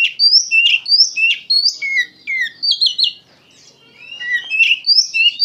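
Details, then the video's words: Gacor kacer, the Oriental magpie-robin, repeating bright whistled pairs, each a high note followed by a lower one, then a quiet gap before more varied whistles. "KACER GACOR PENUH EMOSI"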